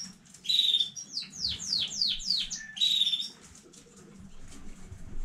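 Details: Domestic canary from a new breeding line, recorded 15 May 2019, singing a loud phrase of quickly repeated downward-sweeping whistled notes, then a burst of chirps, followed by quiet with faint low rustling.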